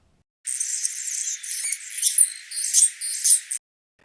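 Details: An Anna's Hummingbird in an Arizona backyard in spring, males singing from exposed perches, gives a thin, scratchy, buzzy song of very high squeaky notes and dry rattles, lasting about three seconds.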